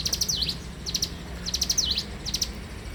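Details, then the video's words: Bar-winged prinia in morning song, giving quick high ticking phrases that end in a sharp down-up sweep, four phrases in three seconds over soft low background hum. "suara alam cigun gacor dipagi hari"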